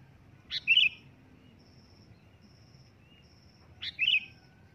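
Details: Two loud, sharp bulbul chirps, sooty-headed bulbul, spaced about three seconds apart, each a clipped rising note followed by a brief liquid warble; a faint high dashed tone and low rumble persist underneath.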